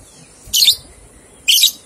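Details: Lovebird from a training recording aimed at prompting two-month-old youngsters to ngekek: two sharp, high, harsh chirps about one second apart against a faint hiss.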